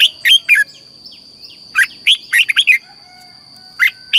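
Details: Red-whiskered bulbul, Thailand, singing a southern master-style song meant to stimulate caged birds: clear, chattering, slurred whistled phrases in brief bursts separated by pauses, with a faint steady high hum throughout.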